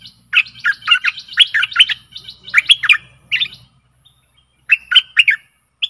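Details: Decoy song of a Stripe-throated bulbul for catching aggressive wild birds: lively bursts of liquid warbled notes with pauses, a faint low hum underneath.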